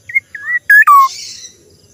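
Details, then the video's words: Black-naped oriole making an odd call: a brief high whistle, a curving slurred whistle, then two harsh, buzzy notes stepping down in pitch, trailing into a soft hiss. "kepodang suara Aneh"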